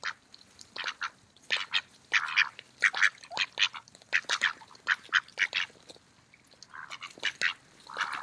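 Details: Several mallards feeding at a park in autumn give grouped nasal quacks in short bursts, with a few longer, lower drawn quacks between them.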